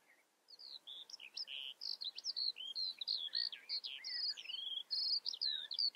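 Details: Eurasian skylark in full song, an unbroken, hurried chatter of high whistled slurs, rolling trills and quick chirps that starts after half a second of quiet.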